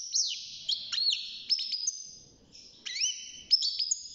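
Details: Young caged European goldfinch at six months, early singing: scattered high tinkling notes, downslurred and upslurred whistles, and short twittered phrases with soft pauses between them.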